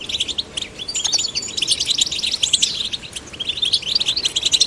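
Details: Young male and female goldfinches stimulated to sing, giving continuous rapid high twitters, buzzy trills and chattering notes, with a soft click near the start.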